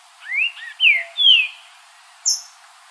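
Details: Green-winged saltator singing in nature: three strong slurred whistles, each rising then falling, in rapid sequence, followed by one sharp high chip.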